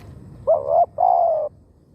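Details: Spotted dove, a decoy bird calling to lure wild doves: one phrase of a short low coo followed by a longer, steady, slightly falling hollow coo, over a quiet rural background.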